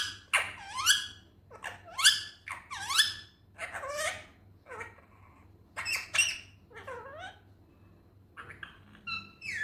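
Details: Natural talking from an Indian ringneck parrot: high, nasal syllables that dip and climb in curving slides, grouped in short bursts with silent gaps between, against a soft steady hum.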